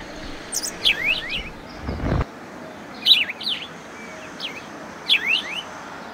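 House sparrow chirping: short bright chirps in clusters of three or four, a group about every two seconds, with a brief dull thump and faint traffic hum.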